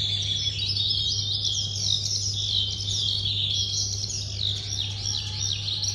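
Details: Red-whiskered bulbul, a young bird of the Red River type, singing and wing-flicking in display two weeks on: quick, bright twittering phrases with rising and falling notes repeated throughout, backed by a constant low hum.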